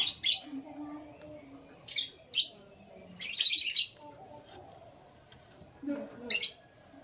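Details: Canaries in the morning, heard as short bright bursts of high chirping twitters repeated at irregular gaps, with quiet pauses between them and a faint low murmur in the background.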